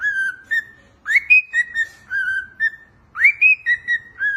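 A cockatiel whistles a clear, tuneful phrase that swoops upward and then levels off in steady notes.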